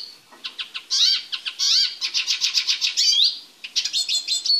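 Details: A caged male Eurasian siskin (Spinus spinus), being prepared for mating, sings a fast, twittering run of high notes with buzzy rising slurs and quick repeated chips, nearly continuous, in a quiet indoor space.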